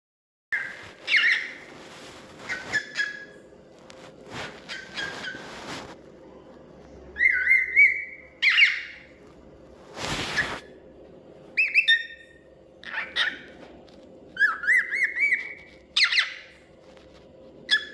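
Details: Cockatiel (Nymphicus hollandicus), whistled calls.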